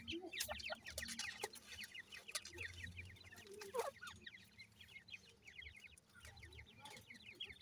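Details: Grey francolin chicks in the new season: a dense chorus of thin, high peeps, each sliding downward, overlapping from several chicks, broken by sharp clicks and bumps.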